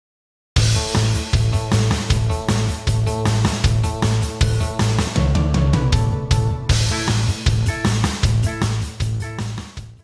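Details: Only loud, driving rock music with heavy drums and guitar is heard, with no animal voice.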